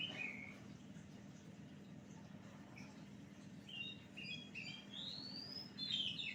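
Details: Oriental magpie-robin singing as a lure, with scattered short whistled notes early on, then a cluster of chirps and a long rising whistle building into varied warbling phrases, over a constant low hum and faint background noise.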